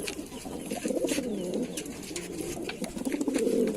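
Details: Lalsara pigeon cooing: low, warbling, throaty bursts that swell and fade, with a second rolling coo near the end over faint clicks and scratching.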